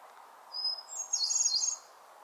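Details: Hermit Thrush singing in a peaceful northern spring forest, echoing tones: one long pure high whistle, then a rapid, shimmering cascade of higher fluty notes, over a steady low background hum.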